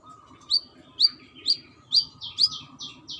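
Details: Brown-throated sunbird female calling a male: five sharp rising-then-falling chips about half a second apart, followed by three softer, smeared notes. A quiet humming tone stays in the background.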